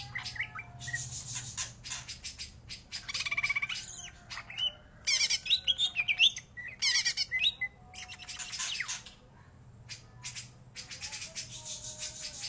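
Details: Greater green leafbird singing continuously: clicking chips and scratchy chatter build into loud bursts of fast buzzy trills and sharp whistles, easing back to sparse chips toward the end.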